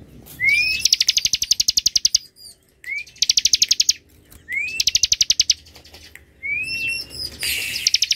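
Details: Bar-winged prinia in dense, long ngebren song: four phrases, each a short upward-sweeping whistle followed by a fast string of sharp, high repeated notes. Short pauses separate the phrases.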